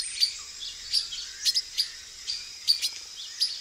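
A male Silver-beaked Tanager gives short, high, thin chips and sharp notes, about two per second, over a steady high insect hiss.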